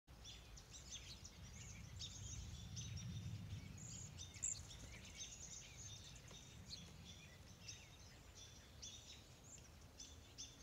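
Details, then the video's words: A flock of Cedar Waxwings gives very high, thin, lisping trills that overlap constantly, over a low background rumble. "Cedar Waxwings"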